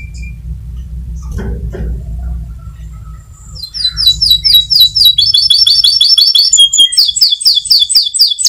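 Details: White canary used as a lure for other birds: after a few quiet seconds of low background rumble, a fast, high, repeated chirping trill starts and continues steadily to the end.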